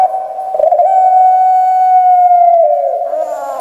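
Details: Pelung-style Barbary dove kept in Java, Indonesia, large-bodied with a high shrill voice: a short opening note, then one long sustained even coo that slides slightly downward and breaks into a low gurgling finish.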